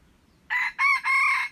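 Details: Wild red junglefowl crow from 21 February 2025, heard as three strong, hoarse bursts, the last drawn out and steady, with little else audible.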